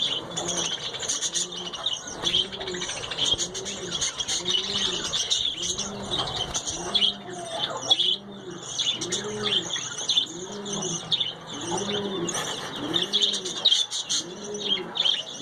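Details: Budgerigars keep up a busy, high chirping and warbling chatter, with a dove's soft cooing underneath.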